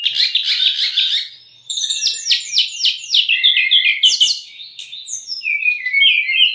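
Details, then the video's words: White-rumped shama song from a training and lure recording for young or stressed birds: a buzzy trill, a rapid stuttering series of sharp notes, and wavering whistles at the end. "MASTERAN DAN PANCINGAN SRDC"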